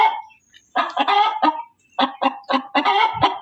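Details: Hen cackling loudly, opening with a drawn nasal note, then after a silence quick harsh clucks in two bursts of rapid, evenly spaced notes.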